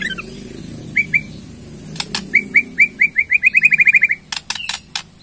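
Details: Murai Borneo (White-rumped shama) ketrekan meant to trigger a reply from other birds: a fast accelerating series of short chip notes, about fifteen in a row, with sharp clicks before and after.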